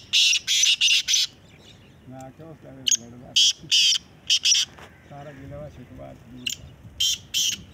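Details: Black francolin in a calling competition: repeated harsh grating note groups, interleaved with men talking nearby.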